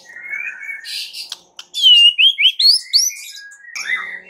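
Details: Caged white-rumped shama singing a lure song meant to provoke other shamas into singing: clear whistled notes, a pause, then a loud run of rising sweeping whistles climbing higher, ending in softer warbled phrases.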